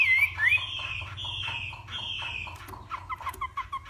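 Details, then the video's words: Northwest Vietnam Hwamei in morning contest singing: long sustained clear whistles, two slurred upward notes, then a quick series of short sharp chips. "Hoạ Mi Hót Đấu /hoạ mi hót sáng luyện giọng"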